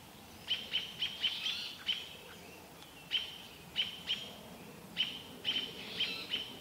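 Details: Robins mobbing an adult barred owl near Vancouver, a young owl looking on: quick series of sharp high chirps, clustered in runs of three to five, then spaced single and paired calls over a soft hiss.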